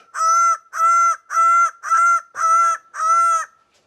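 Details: An excited greater bird-of-paradise gives six loud, nasal, honking calls, each about half a second long, repeated steadily at a quick pace with no other sounds.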